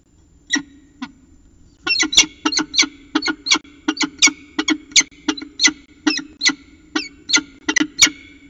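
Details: Early morning chatter of a peregrine falcon at CSU Orange, 25 December 2019 at 5:29 am: loud, rhythmic series of harsh, nasal chupping notes, about two to three each second after a couple of single opening notes.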